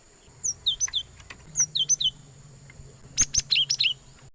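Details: Cinereous tit lure sound for trapping wild birds: thin, high downslurred whistles in small groups, followed by a louder burst of sharp chirps, over a low steady hum.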